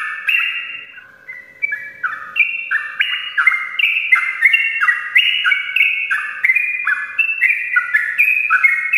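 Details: Sooty-headed bulbul singing a long rolling ropelan in the morning, a lure for idle birds: a short quiet start, then fast cascades of warbled whistles that grow denser and louder.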